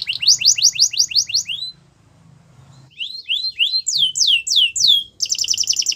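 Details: Belgian canary singing so other canaries join in: a series of quick rising-falling notes, a brief pause, then slurred whistles, long descending sweeps and a fast buzzy trill.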